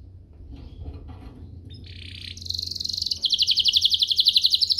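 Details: Canary singing, used to provoke other canaries: faint notes, then a buzzy phrase leading into a loud, fast, evenly pulsed trill that continues to the end, over low background hum.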